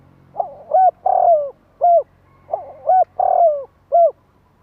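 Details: Spotted dove giving its cooing call to excite wild doves. Two phrases of low, husky coos, each built around a longer sliding note, over a faint low-pitched hum.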